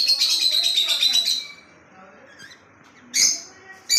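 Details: Lovebird in Kolkata giving a dense, shrill chattering burst for about a second and a half, then quiet, followed by two brief sharp shrieks.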